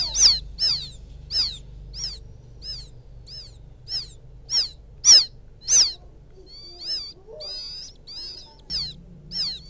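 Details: Rice-field quail chick calling for its parent: a run of about a dozen high, thin, falling peeps, then softer, wavering chirps toward the end, with a low hum behind.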